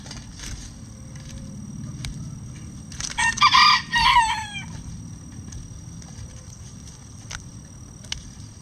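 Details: Bantam rooster in a chicken run, given hanging vegetables as a treat, crowing once: a loud, harsh, harmonic crow lasting about one and a half seconds, broken into rapid pulses and ending in a falling tail, with faint clucks and scratching around it.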